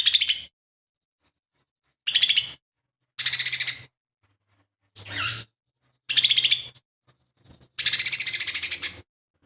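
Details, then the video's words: Kept lesser green leafbird delivering imitated phrases of other birds; harsh, noisy, buzzy bursts of varied length, one falling sharply in pitch, the last a long harsh rattle. "CUCAK IJO MINI GACOR"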